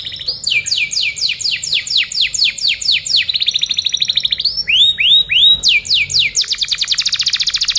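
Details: Masteran canary song to tutor other birds: long runs of rapid descending whistled slurs, a brief buzzy trill, arched rising-falling notes, then a fast rolling trill, almost without pause.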